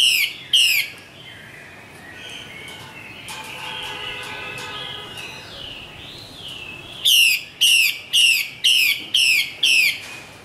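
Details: Female Chinese hwamei from northwestern Vietnam: two loud falling notes, then a quieter stretch of softer warbling and other faint sounds, then a fast burst of six ringing descending notes.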